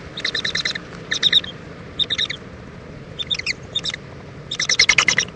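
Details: Owl mother and owlet in Indiantown, Florida, February 26, 2014, late morning, during preening: repeated bursts of fast, high, dry chittering notes in short clusters, with the last burst longest.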